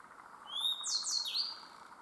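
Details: At Myōkō Kōgen, a Grey bunting gives one song phrase: a clear high whistled note leading into two or three quick buzzy, downward-slurred notes and a final rising whistle, with a faint steady hum underneath.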